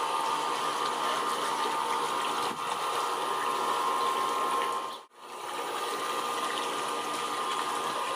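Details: Steady rushing water or pump noise with a constant humming tone and a brief dropout near the five-second mark.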